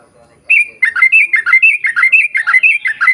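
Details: Sooty-headed bulbul in long, rapid 'ropel panjang' chattering song, used as a lure to get other bulbuls singing: a quick run of bright, slurred chirps repeated about twice a second after a short quiet start.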